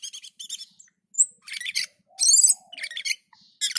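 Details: Black-and-white bulbul singing in gacor and teler mode: dense high chattering phrases, buzzy rattles and one drawn-out harsh burst, with short whistles between them.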